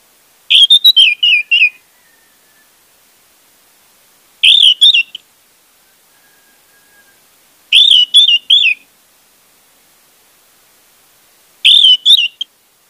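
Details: Lure recording of orange-headed thrush song meant to make a silent bird sing: four loud, rich whistled phrases, each a quick run of warbled notes, repeated about every three and a half seconds in near-silence.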